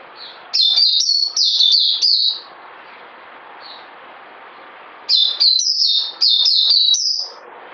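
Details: Two energetic bursts of high, piercing whistled notes from a bird, each note sliding downward, delivered fast and unevenly, with a faint single note and steady hiss between them.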